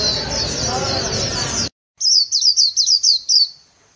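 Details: A white-eye kept by Vietnamese bird artisans sings líu-style song: after a blast of rushing noise and a brief silence, about eight crisp, high, downward-slurred chirps follow in a rapid, evenly paced row.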